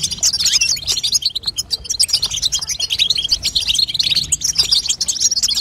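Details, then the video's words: Calls of a female European goldfinch aimed at making a young goldfinch sing: bright, rapid, tinkling twitters in an unbroken, busy flow. "بتبته لتقويه فرخ الحسون تخلي يغرد غصب عنو"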